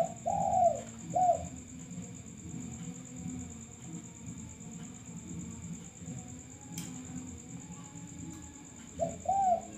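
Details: Lure recording of a male spotted dove, said to call freely: a few soft arched coos open the stretch and return near the end, with a long quiet gap of low hum and a constant thin high whine between.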